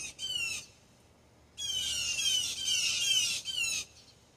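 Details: Backyard blue jays raising the alarm at a hawk, giving a short harsh squawk and then a long, continuous stretch of grating, screeching calls.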